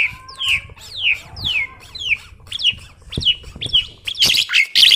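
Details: Chatty tame Asian pied starling, a recording for luring or training birds: a series of downward-slurred whistles repeated about twice a second, ending in loud harsh squawking bursts.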